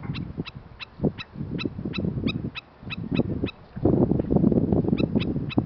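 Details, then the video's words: A black-necked stilt gives a warning cry, probably at the recordist: sharp, yapping kek notes about three a second in a steady series, over heavy wind noise; Princeton, Texas, 19 April 2021, windy day. "Black-Necked Stilt crying a warning"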